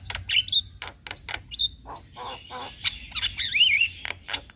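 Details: Black-winged starling singing, offered as therapy to prompt lazy or stressed caged birds to sing. Harsh rasping bursts and clicks are mixed with short bright whistles, and a warbled, wavering whistled phrase follows near the end.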